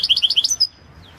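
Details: European goldfinch of the Balkan subspecies Carduelis carduelis balcanica, entered in the 2022 World Championship in Goldfinch Song, an internet singing competition: a quick run of about six twittering high notes ending in a thin drawn-out whistle.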